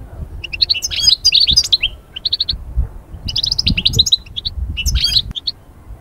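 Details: Goldfinch song used to rouse birds from moulting calm into breeding excitement: lively bursts of liquid twittering and buzzy trills, three main phrases with gaps, faint low background rumble.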